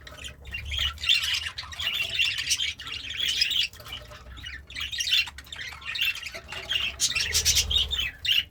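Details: Contented pet budgie, or parakeet, eating greens, sings a continuous chattering warble of fast, scratchy high notes that rarely pauses.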